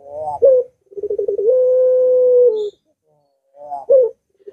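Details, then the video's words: Barbary dove singing as a lure for a dove unwilling to sing: a sharp accented note, a short stammering run and a long even coo that dips at the end, then another clipped note. "Puter Macet Puter Malas Bunyi Langsung Ngaut"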